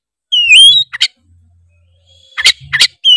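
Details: Oriental magpie-robin of the Tretes type, sung as a lure to spur rival magpie-robins into loud singing: a bright rising whistle with high sweeping notes, then short harsh buzzy bursts and a final whistle, with long silent gaps.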